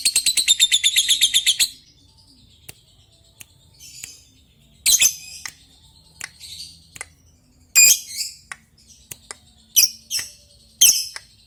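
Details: Lovebird calling a rival: opens with a fast, shrill chattering trill of under two seconds, followed by scattered harsh squawks and thin high chirps.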